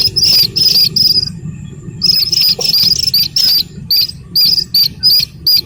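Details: High, piercing squeaks of a Slaty-legged crake chick, a few notes, then a one-second silence, then a regular string of short peeps roughly three per second, low background noise.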